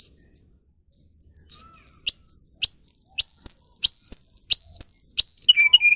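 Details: Canary singing to teach young canaries: a few scattered high notes, then a run of clipped whistled chirps repeated steadily, ending in lower rapid buzzy notes.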